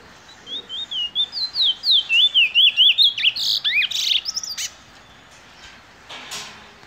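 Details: An old adult male Eurasian bullfinch, kept in captivity, sings a quick run of high, wavering whistled notes, about two per second, ending in a few scratchy, creaky notes.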